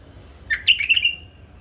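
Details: Hybrid bulbul bred and raised by its keeper gives one short phrase of about five quick, bubbly whistled notes that step slightly downward, lasting under a second, in a quiet setting with a faint low hum.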